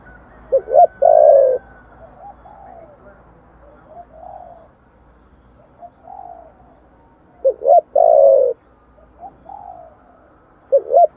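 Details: Spotted dove singing in the giọng thổ style, used as a lure to stir wild doves: two short low hoots, then a long, loud, slightly falling coo. The phrase repeats about seven seconds later, with soft murmured notes between.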